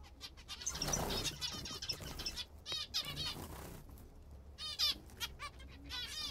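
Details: Pet zebra finches eating a favoured food, giving loud nasal, slightly downslurred call notes, several in quick succession, amid rustling and fluttering in the first seconds.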